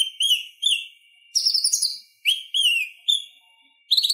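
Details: Purple-throated sunbird song for training songbirds: repeated down-curving whistled notes, a short buzzy rattle, and more slurred whistles in separated bursts.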